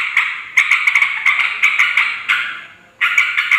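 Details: Yellow-vented bulbul calling noisily as a lure for wild birds: separate bursts of buzzy chatter with sharp clicks, a fading lull, then a fresh burst near the end.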